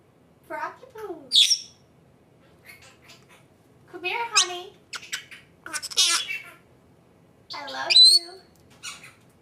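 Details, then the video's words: Female pet Senegal parrot indoors, in front of a camera for the first time, saying its own name: four bursts of harmonic, speech-like chatter, wavering and sliding, with sharp high whistled notes, separated by short pauses. "Senegal parrot talking"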